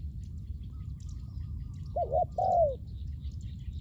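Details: A spotted dove used for luring wild doves delivers a single phrase: a quick wavering two-part coo leading into a longer descending note, set against low background rumble and faint high chirping.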